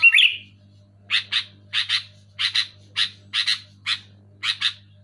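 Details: Loud, clear sooty-headed bulbul used to encourage quiet caged bulbuls to sing. After a short slurred note, rasping doubled chips repeat roughly every half second over a faint low hum.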